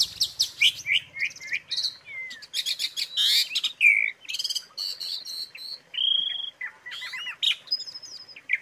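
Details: Training-recording song of an Asian pied starling: rapid mixed phrases of scratchy bursts and upslurred whistles, then a long level whistle and several short piping notes near the end.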